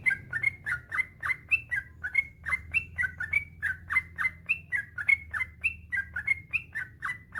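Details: Master recording of a trucukan (yellow-vented bulbul) singing long and nonstop to coax lazy bulbuls into song: a continuous stream of rich, bubbly two-part whistles, rising and falling, with steady low background noise.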